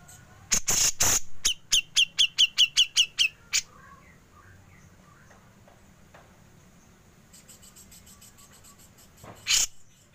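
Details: Grey-cheeked bulbul, 'besetan' leading into 'ngepik', recorded as songbird training material: a few harsh bursts, then about ten quick sharp high notes in a steady run, a long quiet gap and one final harsh burst.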